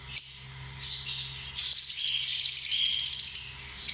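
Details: Lovebirds give a sharp single squeak, soft twitters, then a fast run of clipped, evenly repeated high pulses lasting about a second and a half; a low background hum is present.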